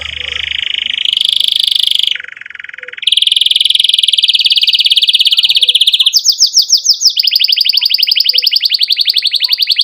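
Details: Energetic canary song meant to prompt young birds to learn and silent canaries to resume singing: long steady buzzing rolls, one lower roll, then a rapid rhythmic chirping trill to the end.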